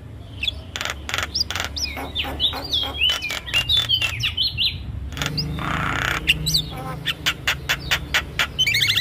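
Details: Javan myna singing in a cage-bird training recording, a busy mix of varied whistled slurs, rising and falling notes and harsh rasping bursts, delivered rapidly and continuously over low background rumble.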